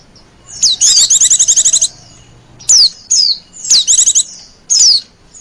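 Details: Oriental white-eye lure call for wild birds: a long high trilled burst followed by single sharp downslurred whistles and another short trill.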